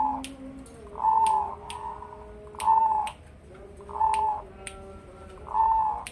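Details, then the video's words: Two-year-old Zebra dove of a crossbred line, Bangkok crossed with local stock, tame and unafraid of people, known for a big, bassy voice: five deep cooing phrases about every 1.4 seconds, with faint clicks and soft low tones between. "Cetetan Perkutut Crossing, Bekuran Perkutut Crossing"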